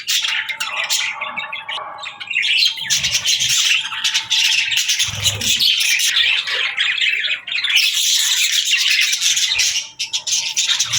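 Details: Chattering budgies: squawky chirps and warbled trills from many birds, a sustained tone running under the first half, and a quieter stretch near the end.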